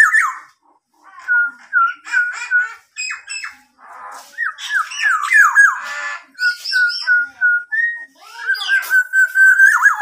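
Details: Tame local black-naped oriole, a caged bird singing actively and imitating a police car siren: fluty whistles near one pitch alternate with harsh squawks and rising, wavering slurs, ending in a long steady whistled note.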